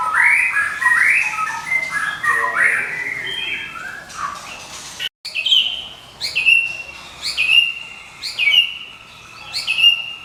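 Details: Medan white-rumped shama in continuous ngekek singing, kept as a lure and master song for training: varied warbled phrases first, then after a brief break a run of sharp, bright whistled notes repeated about once per second.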